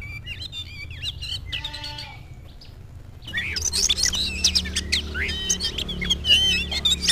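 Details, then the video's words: Oriental magpie-robin facing a rival, softer varied whistles and a harmonic buzzy note, then a sudden louder outburst of rapid chattering and whistled notes over low hum. "KACER GACOR LIAT LAWAN LANGSUNG NGOBRA"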